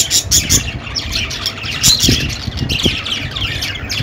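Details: Budgies giving rapid scratchy chirps and squawks, fairly continuous with a short lull near the middle, over a low rumble like passing traffic.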